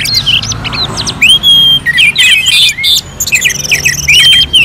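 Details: Orange-headed thrush song, contest simulation, Singaraja in North Bali: separate bursts of bright whistles and short scratchy chips, with a drawn-out slurred whistle and short pauses between phrases.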